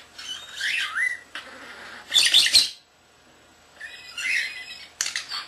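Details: Captive common starling, not yet a year old, chattering indoors: buzzy warbled phrases, a loud noisy rasping burst, a silent gap, then more warbling and a sharp final click.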